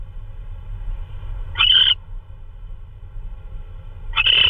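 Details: Owl at night, 3:12 AM on 16 March 2013, delivering prey, possibly a vole: two short, harsh, buzzy calls with a high tonal edge, roughly two and a half seconds apart, over a steady low hum.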